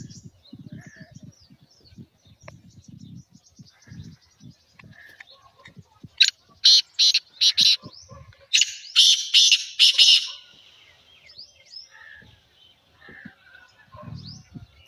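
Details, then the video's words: Black francolin calling: loud, harsh, grating notes delivered in a tight burst of about six rasping syllables mid-clip, after quieter low rustling and faint distant chirps from other birds. "Black Teetar Sound"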